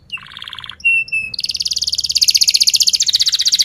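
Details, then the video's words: Canary song meant to coax young or silent canaries into singing: a low buzzy rattle, a pure high whistle, then a loud, fast, pulsing trill rising slightly and continuing to the end. "Pancingan kenari paud belajar bunyi"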